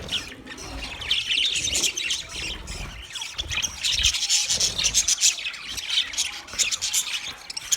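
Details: Budgies chirping in a dense, scratchy stream of high twittering and rasping notes, many overlapping, with brief quieter gaps and occasional soft low thumps.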